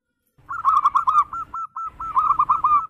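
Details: Local zebra dove, 'berayun' swinging song used to call in other doves: one continuous string of rapid, rolling cooing notes, slowing into separate spaced coos midway, then speeding up again, with low rumble underneath.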